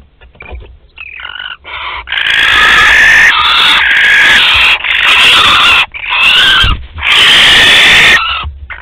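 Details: Barn owls at a nest in Théding, France, on 25 April 2021, a male present: harsh, drawn-out hissing screeches, several overlapping, in long bursts separated by brief gaps, with faint low rumbling beneath.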